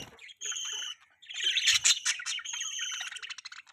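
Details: Budgerigars mix a sustained clear whistle, given twice, with a loud tumble of rapid scratchy chattering notes.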